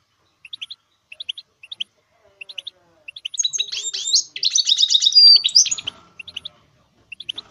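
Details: Goldfinch mule (goldfinch hybrid) singing, a recording meant to motivate and train songbirds: sharp high chirps in quick groups of two or three, then a dense twittering burst in the middle, and scattered chirp groups again at the end.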